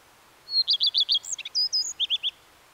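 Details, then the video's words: Common redstart phrase opening with a high thin note and five quick repeated chirps, then scratchy varied notes and three final lower chirps, all against near silence. "The song of the Common Redstart"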